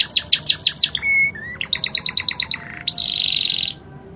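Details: Spanish Timbrado canary in lively song, praised for fast changing rhythms and clear crystal voice: rapid repeated chips, a brief pure whistle, another trill series, then a dense buzzing rolled trill, with background music.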